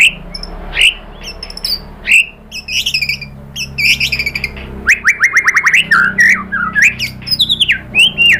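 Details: White-rumped shama song to provoke other birds: spaced whistled notes and chips, then a fast rhythmic series of rising notes and swooping whistles.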